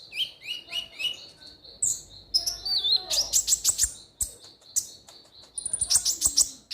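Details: Lively ruby-cheeked sunbird song played to stimulate birds: rapid runs of high chirps and buzzy ticks, sliding whistles and dense clusters of sharp notes, about three per second in fast passages.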